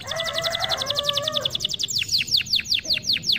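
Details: Canary singing, played to stir reluctant birds to sing: a rapid trill of high notes over a faint lower warble, then slower, deeper downward-swooping notes spaced apart.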